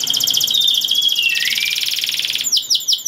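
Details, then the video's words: Canary pouring out a dense, fast high trill with a lower gliding note woven through, closing on several downslurred notes; the song is said to put other canaries in breeding mood. "Kenari Gacor Satu Ini Pandai Untuk Naikkan Birahi Kenari Lain Agar Ikut Bunyi || Voice of Canary"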